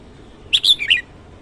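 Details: Red-whiskered bulbul (chào mào) singing in the morning: a short, clear phrase of three or four quick whistled notes, rising and then dipping, over a quiet background.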